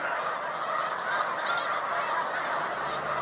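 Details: Steady background clamour of innumerable Snow Geese calling at a spring migration resting place, Cayuga Lake, New York, 20 March 2021: overlapping high honks merging into a uniform roar.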